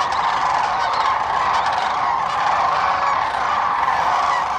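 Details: A huge flock of sandhill cranes at their overnight roost on the Central Platte River, Nebraska, a spring migratory staging area, calls in the early morning before leaving to feed: a steady wall of rolling, trumpeting rattles with no quiet moment.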